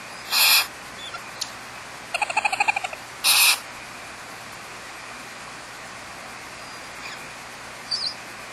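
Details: A Barn owl pair at Starr Ranch, Trabuco Canyon, California, nesting with 4 or 5 chicks in a cavity in an old eucalyptus, give two harsh, breathy hissing screeches about three seconds apart, with rapid clicking, chittering notes between.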